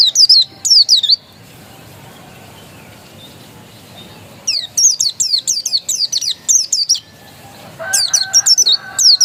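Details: Oriental white-eye, known locally as pleci, dakun type, described as original; bursts of high, sharp downslurred chirps, a brief opening phrase, a quiet gap of three seconds, then a long rapid run of repeated notes.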